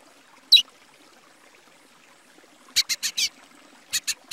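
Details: A Plumbeous Seedeater from Brazil sings one sharp high note, a pause, then quick bursts of three and four clear, high-pitched notes in rapid succession.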